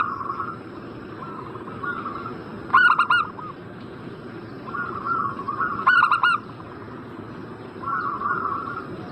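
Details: Lure call of a zebra dove for drawing a reply from a bird in breeding condition: two four-note staccato coo bursts about three seconds apart, separated by softer rising-and-falling warbled phrases.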